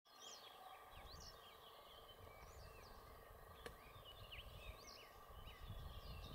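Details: Western yellow wagtails (Motacilla flava) at Lake Cerknica, 15 May 2023, give thin, high chirps and slurred notes, scattered irregularly across several seconds over a steady low wind rumble.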